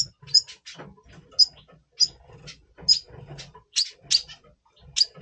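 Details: Red siskin, double pastel mutation, singing in breeding mood before breeding in November 2023: steady high chirps roughly every half second to second, some doubled, over quiet low background noise.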